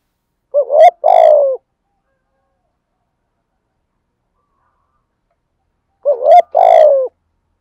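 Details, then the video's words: Spotted dove cooing, a decoy voice used to stimulate other males to sing, male and female birds: two short phrases about five seconds apart, each a quick rising double note then a longer falling hollow coo; silence between. "cu gáy giọng thổ thúc gù/ chim cu gáy giọng thổ bài bản gù đấu/ chim cu gáy kích bổi nhanh nổi"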